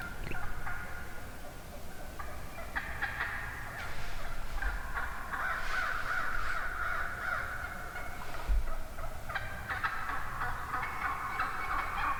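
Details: A huge flock of wild turkey hens vocalizing in the morning woods: a near-continuous mix of purring, yelping and clucking from many birds, swelling and easing, with occasional low thumps.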